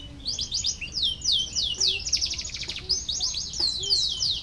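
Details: Canary song for stimulating lazy canaries to sing: repeated quick falling whistled sweeps mixed with short buzzy trills, sung at a steady fast pace.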